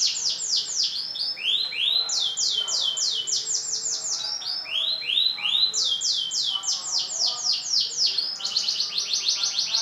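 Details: Caged F1 Kemayoran canary, large-bodied, in full song: loud rapid series of descending high sweeping notes, grouped in rolling phrases that repeat and shift in pitch, continuous throughout.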